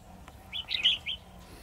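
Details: Trapping decoy red-whiskered bulbul gives one loud, quick warbled phrase of three or four bright whistled notes, rising and then dropping, against a faint low hum.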